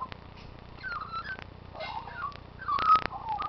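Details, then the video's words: A rescued and released magpie returning daily to sing gives soft, fluted warbling phrases sliding up and down in mid pitch, broken by a few sharp clicks and taps. "Magpie Song"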